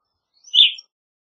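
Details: Evening grosbeak, a single short high chirp, burry and slightly falling, lasting under half a second in silence.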